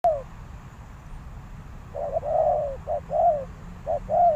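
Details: Decoy spotted dove calling to lure wild doves into a trap; after a quiet start, soft paired coos begin, a short clipped note followed by a longer arched, mellow coo, repeated about once a second.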